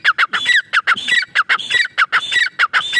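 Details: Calling grey francolin, or teetar. A fast, dense series of harsh clipped notes mixed with higher metallic whistles, repeated rapidly and insistently with almost no gaps, giving a busy, jangling effect.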